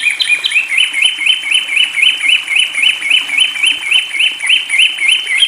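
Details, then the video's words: A long-tailed shrike, given water therapy, sings a quick run of short, bright, upslurred chirps, close to four a second, over a thin steady high-pitched hiss. "pentet Matahari gacor"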